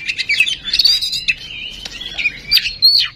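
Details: Lure recording of an oriental magpie-robin meant to trigger singing: a fast mix of sharp chips, short whistles and buzzy phrases, ending in a loud descending whistle.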